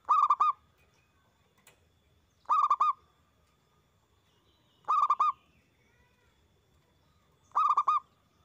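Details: Loud Zebra Dove song played as a training and lure recording to stimulate other doves to sing: four short three-note cooing phrases, steady in pitch and rich in tone, repeated about every two and a half seconds in near silence.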